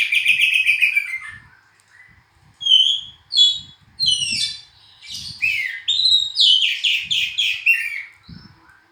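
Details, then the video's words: Oriental magpie-robin singing a varied string of clear, high whistled phrases, some sliding up or down, others quick and chattering, broken by short pauses, with faint low knocks underneath. "kicauan burung hitam putih(kacer)"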